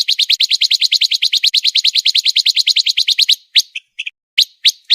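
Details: Contest-bird master recording of pancawarna: a rapid, steady train of about three notes per second of bright, high chirps for over three seconds, then a few isolated chirps.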